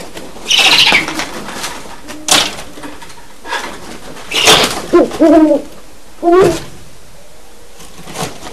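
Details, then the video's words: Two 7-month-old captive great horned owlets in a vocal study give their first adult-sounding hoots, two short, low, wavering hoots, prompted by a visiting wild resident owl, between loud wing flapping and rustling as they chase each other. "Great Horned Owlets Hooting"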